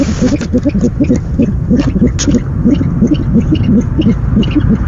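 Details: Owl at a nest at night, 17 February 2015, with a bird bringing the night's first delivery: rapid low notes in quick uneven succession, some faint clicks above, over continuous rumbling noise.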